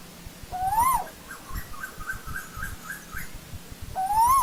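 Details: Asian koel calling in old-growth forest: a clear whistled note sliding steadily upward then dropping sharply at the end, given twice about three seconds apart, with a softer wavering bird series between them.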